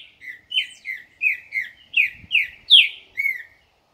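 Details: Green-winged saltator, a caged dobrador singer, delivering a loud run of about nine clear whistled notes, each sliding down in pitch, spaced under half a second apart, with a brief soft knock partway through.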